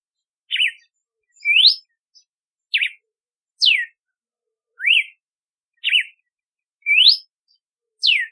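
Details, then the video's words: A red-cowled cardinal, known locally as campina, sings a steady run of eight crisp whistled notes, mixing quick rising sweeps with falling slurs and sharp zigzag notes, about one per second, with nothing else audible. "Canto do Cardeal do Nordeste / Galo de Campina / Campina | Red-cowled Cardinal | Paroaria Dominicana"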